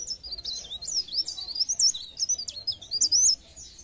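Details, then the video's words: Pare pare bird song used as a lure to stimulate other birds to sing: a fast, high, twittering warble of jumbled squeaky notes, running almost continuously for over three seconds. "bunyi ampuh burung pare pare"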